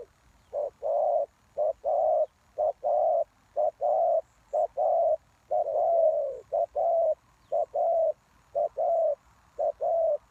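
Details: Spotted dove used to lure wild doves, producing a quick run of short low coos, nearly one per half-second, with one longer wavering croon in the middle; background quiet.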